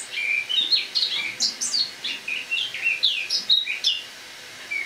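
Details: A captive Eurasian blackcap kept indoors over winter sings in autumn on the morning of 1 October 2017: a continuous, varied, bright warble of quick high notes and slurred whistles, with short phrases running together.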